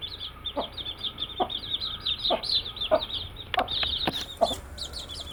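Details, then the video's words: A flock of baby chicks peeping constantly, their high, bright, downward-curving chirps running back to back, while soft knocks recur about once a second and a few clicks near the end. "Cute Baby Chicks with chirping sound"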